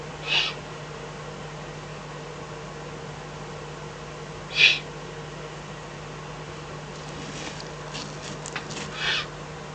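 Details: Night recording from the Eifel, 24 May 2014, 03:40–04:18, as a fox is brought as food to Eurasian eagle-owls; sharp raspy hisses repeated every few seconds, followed by a cluster of quieter breathy bursts, over steady hum.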